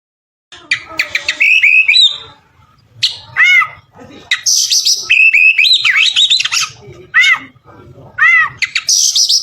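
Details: Kacer, the oriental magpie-robin, singing gacor-style as filler for training other birds: bright whistled notes, repeated rising-falling arches and scratchy high bursts in a lively, irregular string, with a soft low rumble in the background.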